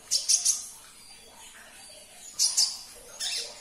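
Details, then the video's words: High sunbird chirps, meant to draw a reply from a quiet caged bird, come as two tight clusters of piercing notes separated by a second and a half of near silence. "Putarkan 1 menit saja video ini KONIN anda pasti langsung nyaut"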